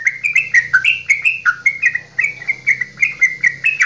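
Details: Straw-headed bulbul from Java, kept as a songbird, singing its long goklikan phrasing to get other bulbuls singing: bubbling, liquid whistled notes, each sliding up or down, pouring out rapidly and evenly without pause.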